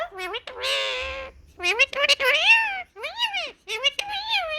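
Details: Talking Indian ringneck parakeet, described as in a happy mood and sunning itself, strings together rich, nasal, speech-like syllables in a quick run, some drawn out and others arching up and down in pitch.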